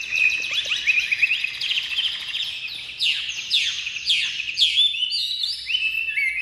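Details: Caged Chinese hwamei, freshly uncovered and singing nonstop: a dense, fast run of bright, varied whistled phrases with rapid slurred notes and trills, ending in clearer sustained whistles.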